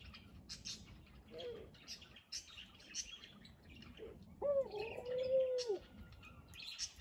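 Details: Kept Barbary dove giving one long, even, drawn-out coo that falls away at the end. Many thin high chirps and twitters from other birds fill the background throughout.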